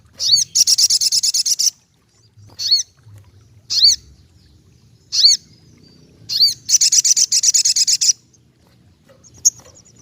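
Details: Ruby-cheeked sunbird in full song: two long, high, rapidly pulsed trills separated by several quick, downward-hooked sharp notes, ending with a soft lone chip; quiet low rumble underneath.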